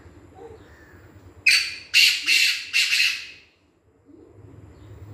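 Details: Kala titar, the black francolin, calling with a quick run of four loud, harsh, scratchy notes lasting about two seconds, then silence and faint low background hum.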